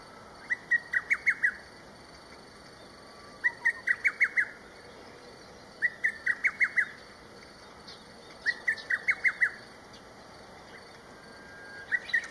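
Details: Distant lesser cuckoo on a riverside flat at dawn in May 2023, loudly repeating a rapid stuttering phrase of five or six shrill whistled notes about every three seconds, four full phrases, against a quiet hiss.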